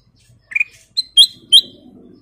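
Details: Sooty-headed bulbul, a lively singing bird, recorded as a training lure: three short, clear whistled notes, each rising higher than the one before, then a soft low rumble in the background.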